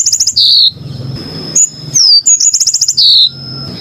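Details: Bright, high-pitched yellow-fronted canary song: a rapid ticking trill ending in a buzzy note, a sharp downward whistle, then the trill-and-buzz repeated, with a thin continuous whine and low noise behind.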